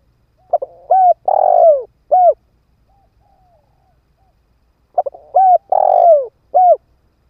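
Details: Spotted dove used as a ground decoy, cooing to lure wild birds: two phrases about four seconds apart, each with quick lead-in notes, a long throaty coo and a crisp closing note.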